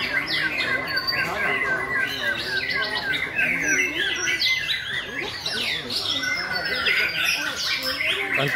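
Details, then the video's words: White-rumped shama singing at a competition in May 2020: dense, overlapping bursts of whistled and chattering phrases, mostly mid-high and sweeping, with other birds singing alongside and people talking throughout. "Chòe lửa đấu hót 5.2020"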